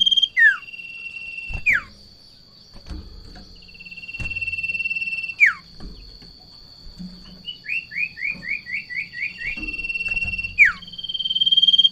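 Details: Sirtu in breeding condition, seeing a rival or female, alternates long steady buzzy trills with sharp falling whistles. A rapid run of about ten rising chirps appears midway, over a faint constant thin tone.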